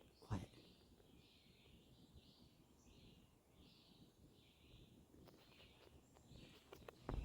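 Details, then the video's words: Wild birds singing and chirping in the background outdoors while camping in Alaska: a quiet series of short, bright, repeated chirps and warbled notes spaced about half a second apart, with a sharp knock near the start and end. "If you listen closely, you can hear all the birds which have been singing and talking away in the background. Listen quiet."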